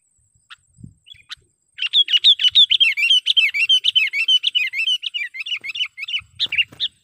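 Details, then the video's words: Sooty-headed bulbul lure call for catching wild birds: a few opening chips, then a fast, continuous chattering series of bright, bouncing notes lasting about four seconds before breaking into single chirps. "suara BURUNG KUTILANG PIKAT gacor / pikat kutilang gacor dengan suara panggilan kutilang gacor"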